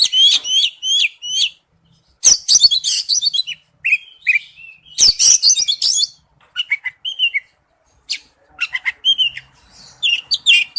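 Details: Oriental magpie-robin lure song as a ringtone: quick repeated chirped phrases, two loud dense chattering bursts, then softer whistles and rapid high twitters.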